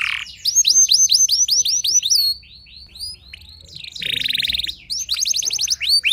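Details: A canary sings a lure song meant to make other canaries answer. High, swept whistles come in quick succession, then a short pause, then a dense buzzy trill and another run of rapid, upward-curving notes.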